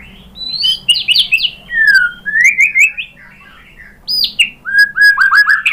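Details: White-rumped shama lure song meant to make a listening bird reply and sing: varied phrases of rapid looping whistles and trills, some high and piercing, others lower and fluting, separated by short quiet gaps.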